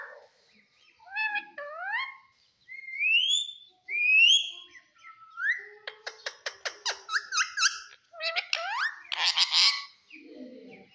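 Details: Green talking pet parrot producing a series of rising whistled notes, followed by fast clicky chatter and buzzy squawks near the end.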